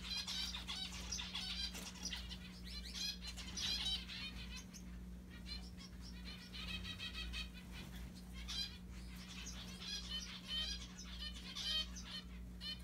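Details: Pet mandarin zebra finches playing with a Santa Claus hat make repeated short nasal beeping calls, often in clustered runs, over a constant low hum, with some fluttering wings.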